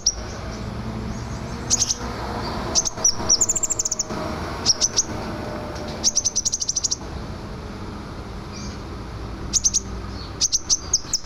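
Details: Scarlet minivet singing energetically, used as a tutor song for training other songbirds: short clusters of high, thin whistled notes in quick bursts every second or two, with quiet gaps and steady low background hiss.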